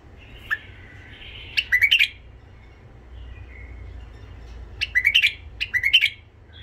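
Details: Song of a tame white-eared bulbul from Iraq, meant to rouse wild bulbuls and teach youngsters: a soft warble, then clipped phrases of three or four bright upward-slurred notes, repeated after a pause.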